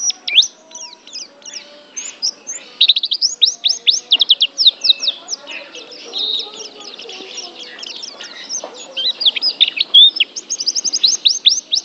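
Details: Dense white-eye chatter: overlapping thin, high, sweeping notes and quick trills run almost without pause, with softer chirps and faint background noise between bursts.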